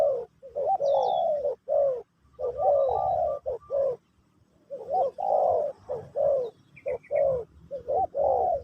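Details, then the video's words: Spotted dove (terkukur) giving pesom/kacuk style song in a teaching session for a new bird: near-continuous strong mellow coos, a short silence, then another dense burst of coos, faint chirps above. "Burung Terkukur Pesom/Kacuk...Sesi Mengajar Burung Baru"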